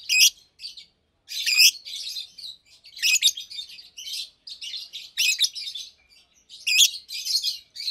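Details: Two caged Fischer's lovebirds, about two years old, sing through the day with almost nonstop high twittering punctuated by piercing squeaks every one to two seconds.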